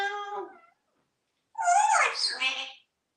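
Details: Talking pet parrot kept in Texas, hatched 1997, wearing a collar and being given water. A brief harmonic tail is followed by a longer, bright, raspy voice-like phrase with sweeping tones. The owner speaks around it.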